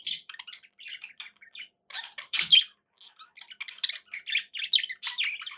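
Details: Budgies kept as pets twittering in quick scratchy chirps and warbles, a louder squawk near the middle, busy continuous chatter.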